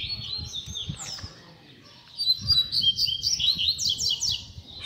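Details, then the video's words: Double-collared seedeater tutor song used to teach young birds: high twittering opening, a short pause, then a rapid series of bright repeated chips and quick trills, with low rumbling noise throughout. "PUXADA TOP PARA FOGUEAR E ESQUENTAR A FIBRA - COLEIRO PROFESSOR APRENDIZADO"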